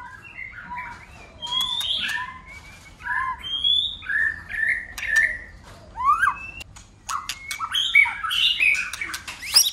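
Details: A white-rumped shama sings in contest style, flicking its tail and changing voices again and again. Varied short whistles, upward slurs and squawky notes come in bursts, broken by sharp snapping clicks, and build toward a dense chattering finish.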